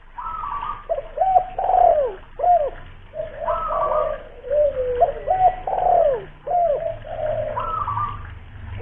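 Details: ['Local lure spotted dove with a big voice from Kuningan, West Java: deep mellow coos, each rising then sliding down, given in short phrases several times a minute, with overlapping coos from other doves.']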